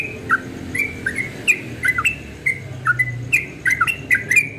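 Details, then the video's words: At dawn a yellow-vented bulbul sings bright bubbling whistles, short notes that flick up and down, delivered in tight clusters every half second or so with a soft background hum. "Trucukan Ropel Subuh suaranya merdu sekali"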